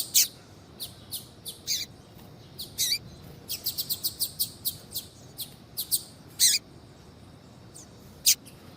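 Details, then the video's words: Female double-collared seedeater calling to stimulate a male to sing: scattered high, sharp chirps and short downward-sweeping notes, with a brief fast series of clicks in the middle; quiet background. "FÊMEA DE COLEIRO CHAMANDO PARA ESQUENTAR COLEIRO TUI TUI"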